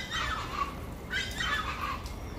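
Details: Raucous chachalaca calls arrive in two scratchy, grating bursts about a second apart over a low background hum.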